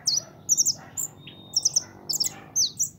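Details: A pintón, a young pet European goldfinch, gives short sparkling bursts of high twittering notes, each cluster of two or three chirps separated by brief pauses.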